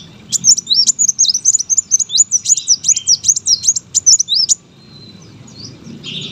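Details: Brown-throated sunbird kept as a competition bird, singing a fast run of sharp, high, twisting chirps, about twenty notes in four seconds, then stopping abruptly with only faint chirps and low background hum after.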